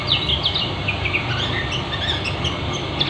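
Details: Lombok white-eye (kecial kuning) in a fast, dense ngeriwik twittering style: short high chirps and trills scattered through the clip, some sharper notes near the start and end, over a steady low rumbling background noise.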